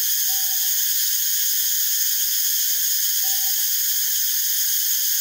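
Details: Soft low owl hoots from a Northern boobook (Ninox japonica totogo) while it forages and preens: a longer note followed by short ones, repeated after three seconds, over a dense, steady high-pitched hiss.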